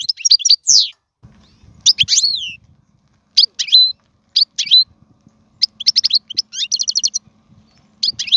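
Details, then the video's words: Goldfinch song for teaching young birds: separate short phrases of sharp twittering and slurred notes between quiet gaps, ending in a fast series of repeated chips; a faint steady hum sits underneath. "اسمع المقنين واعطي رايك فيه,افضل تغريد لتعليم الفراخ"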